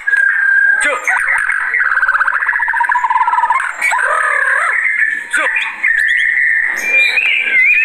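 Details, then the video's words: White-rumped shama (murai batu) singing fiercely when agitated, a lure and tutor recording: steady whistled notes, a fast buzzy trill, downslurred phrases and a rising whistle at the end. "Begini Kalo Burung Murai Batu Kalau Sudah Naik Emosinya"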